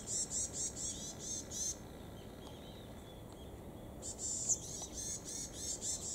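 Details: Varied tits, two birds answering each other in Kitamoto Nature Observation Park: two series of rapid high, buzzy nasal notes, split by a quiet gap of about two seconds, with light background hiss.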